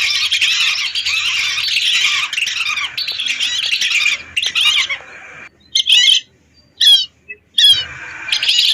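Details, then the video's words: Lesser whistling ducks, hundreds of birds used as a lure: continuous crowded whistling for several seconds, then a few separate clear whistled calls broken by silences. "Suara burung Belibis RATUSAN untuk pikat"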